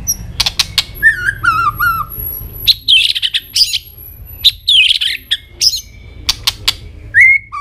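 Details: White-rumped shama singing, a varied song of clear whistled phrases that slide downward, buzzy rasping bursts and sharp clicking notes, with a final rising whistle.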